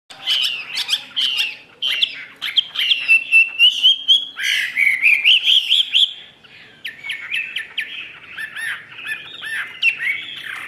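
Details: Caged Chinese hwamei singing with its tail fully fanned: a loud, varied run of clear whistled phrases, sliding and looping notes, and quick chattering bursts, with a short pause before a choppier, rapid ending.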